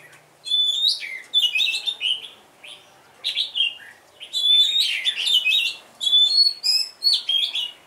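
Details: Decoy red-whiskered bulbul delivering lively, repeated warbling phrases of clear whistles and quick slurred notes, about one phrase per second with short gaps between them.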